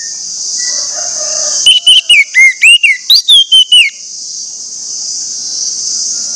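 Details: Orange-headed thrush lure song to make others of its species sing: about ten clear, looping whistled notes over roughly two seconds, against a steady high hiss throughout.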